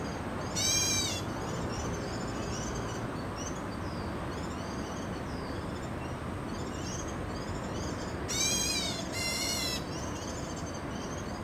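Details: Black bulbul in Taichung, Taiwan, on 25 August 2013, gives three harsh, nasal, mewing calls, one early and a close pair near the end, while thin high chirps from other birds and a steady low rumble run underneath.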